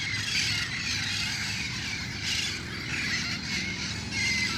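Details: Dusk gathering of wild red-crowned parrots in El Cajon before roosting; many birds squawk and shriek together in a harsh, continuous din, with brief louder surges and distant low noise.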